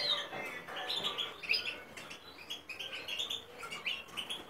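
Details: Goldfinch and common linnet hybrid singing: quiet, continuous twittering of short high chirps and brief whistled notes, a soft warbling chatter with faint background hiss.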